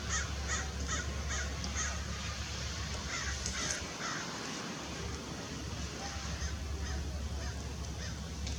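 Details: Lewis's woodpecker, an adult, recorded December 6, 2021 in Irvine Regional Park, Orange, California, giving quick bursts of grating, scratchy notes in short series, with a pause midway, against steady low background rumble.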